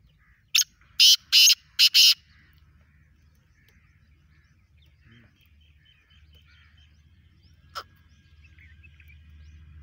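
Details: Black francolin, a native bird, giving a lively call: five harsh, grating bursts packed into about one and a half seconds, then near quiet with a low hum and one sharp click.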